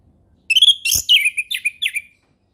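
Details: Single ngeplong-style phrase from an orange-headed thrush, used as a lure for young birds: a bright, sweet whistle followed by a string of quick, falling slurred notes over about a second and a half, with one dull knock.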